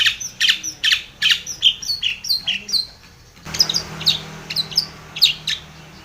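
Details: Long-tailed shrike calling a rival in a fast run of sharp, varied chirps and scratchy notes, pausing briefly before resuming the quick chatter.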